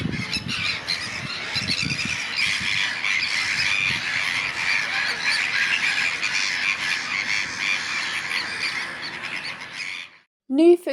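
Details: Sandwich terns on a small fenced-off island near the tern hide at the Brownsea Island lagoon, England, in April 2025. A busy colony keeps up a constant din of harsh, grating, overlapping squawks for ten seconds, then a brief pause and a short voice-like sound.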